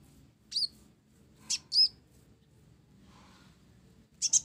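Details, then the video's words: Sparse phrases from a mottled ninja sunbird with sparrow-filled song: isolated high slurred whistles spaced about a second apart, ending in a double chirp. "Kolibri Ninja Blorok Gacor isian Gereja"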